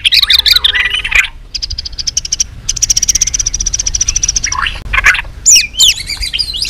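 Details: White-rumped shama singing in multiple voices for contest training: warbled phrases, then long rapid trills of high pulses, ending in sharp whistled slurs.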